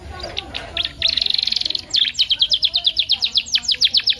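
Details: Canary tutor song meant to stimulate singing: scattered high notes lead into a smooth, fast buzzy trill, followed by a long series of evenly repeated bright chips.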